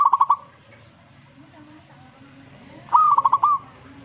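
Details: Zebra dove singing in immediate response to a played master recording: two phrases, each a short rising note followed by a quick pulsed, trilled coo, separated by about two and a half seconds of quiet.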